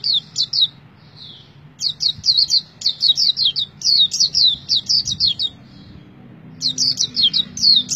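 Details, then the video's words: White-eye pours out quick high chirps, about two per second overall, in energetic clustered phrases with short pauses between bursts. "Pleci Tergacor Selama Bermain Pleci"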